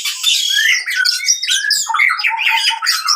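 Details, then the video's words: Oriental magpie-robin fighting song, used to rouse birds that have stopped singing: a loud, dense run of harsh, scratchy notes mixed with short whistled slurs, with barely a pause. "KACER TARUNG COCOK UNTUK KACER MACET BUNYI"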